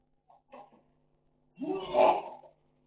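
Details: Talking African grey parrot from Sukkur, Pakistan: a few quick soft syllables, then a long loud harsh drawn-out vocal sound lasting nearly a second, over a quiet steady indoor hum.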